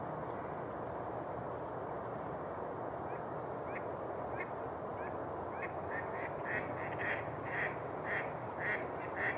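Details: Mallards on open water at Rush Lake, New Brighton, Minnesota, in February; faint scattered quacks early, then a run of short nasal quacks repeated about twice a second in the last few seconds over steady broadband noise.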